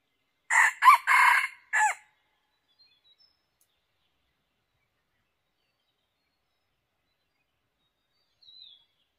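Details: A red junglefowl used as a decoy in trapping gives one short, clipped crow of four quick broken notes, followed by silence and a faint high chirp near the end.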